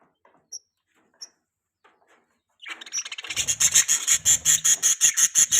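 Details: Pet budgerigar during mating season: a few soft isolated chirps, then a loud, rapid run of bright, high, regular chirps, about three per second, with rustling in the background.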